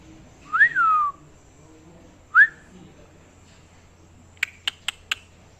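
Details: Parrot whistling indoors: a rising then falling slurred note, a short sharp upward whistle, then after a pause four brief dry clicks in quick succession.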